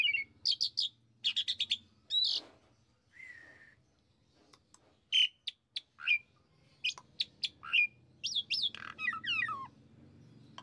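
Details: Asian pied starling lure song, sparser and quieter: scattered sharp whistled notes, short clusters of chirps and slurred downward whistles separated by pauses, with a soft low background hum.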